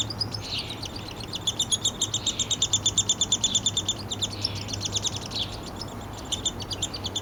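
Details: Young downy woodpecker in a Lethbridge, Alberta yard on July 12, 2026, begging as its father feeds it: long runs of fast, high, buzzy chitters, about three per second, swelling and fading in waves over a low steady hum.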